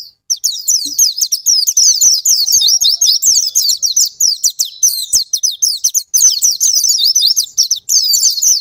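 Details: Continuous Oriental white-eye song used as a trigger for birds that refuse to sing: fast, dense, high-pitched chattering notes pouring out almost without a break, with faint clicks beneath.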